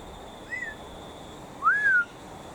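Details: Wild cockatiel perched in a dying tree next to an aviary, late afternoon, calling as aviary cockatiels respond excitedly: two clear whistled calls, a short one then a longer, louder rising-and-falling note, over faint hum.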